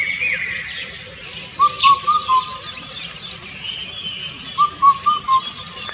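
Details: Singing Indian cuckoo, Cuculus micropterus, delivers two mellow four-note whistles roughly three seconds apart, each ending on a lower note, over a background of distant twittering birds.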